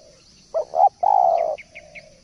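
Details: Spotted dove utters a short doubled coo then one long, sustained low coo, with a few faint high chirps from another bird.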